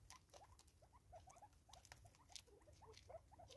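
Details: A group of five Natal spurfowl eating together in South Africa, 2024: a steady run of short, soft chucking notes repeated several times a second, mixed with crisp pecking clicks.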